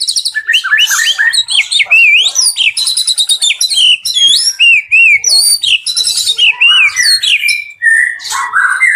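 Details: Captive White-rumped shama singing energetically at a bird farm: a rapid, varied stream of loud clear whistles, rising and falling slurs and fast chattering trills, with scarcely a pause.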